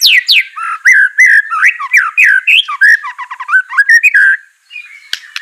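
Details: White-rumped shama singing, intended to stir a quiet bird to respond: a rapid flow of sliding whistles, some falling steeply, others rising, with brief chatters mixed in and a short pause near the end.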